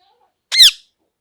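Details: A single short, piercing squawk from a parrot, sharply rising then falling in pitch, isolated in otherwise quiet surroundings.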